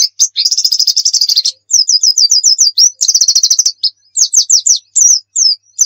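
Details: Lure recording of a white-eye's nembak song: a dense, fast trill of high notes, then bursts of rapid, repeated downslurred chirps broken by short gaps, with a few looser notes near the end.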